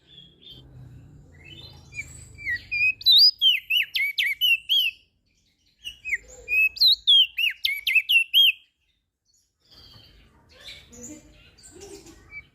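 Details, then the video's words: Lombok crested white-eye song used as a master recording to prompt lazy birds to sing: two bursts of quick, sweet whistled chirps and slurred notes, several per second, separated by a silent pause, with faint distant calls later. "Opior JAmbul Laombok Gacor Suara Merdu - MAsteran Dan Pancingan Burung Malas Bunyi"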